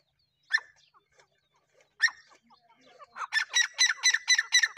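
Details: Black francolin calling: two separate harsh, grating notes, then a fast run of about a dozen rasping, broadband pulses at a steady rhythm, loud and close.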